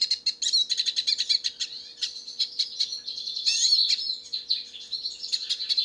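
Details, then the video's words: Wild hooded siskin singing in nature: a busy high warble of quick chirps, buzzes and sweeping whistles that swells in the middle, over a faint low hum. "O canto do pássaro silvestre pintassilgo"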